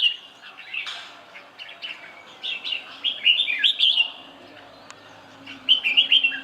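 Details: Red-whiskered bulbul giving lively warbled song phrases, first a brief note, then a longer run of rapid chirpy, rolling notes, and a final burst of twittering near the end, with soft background noise between.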